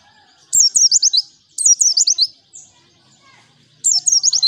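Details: White-eye (pleci) song used as a lure: three bursts of rapid, high, thin twittering notes sweeping down in quick runs, each lasting about half a second to a second, separated by short silences.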